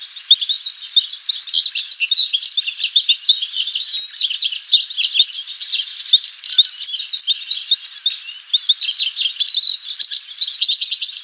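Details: Song of Lawrence's goldfinch: a long, unbroken stream of high, quick chattering and tinkling notes, jumbled and run together, rising and falling slightly in bursts, over a quiet background.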